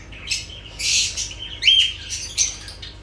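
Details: Short, harsh lovebird squawks and a rising shrill squeal, high and noisy, in quick irregular succession.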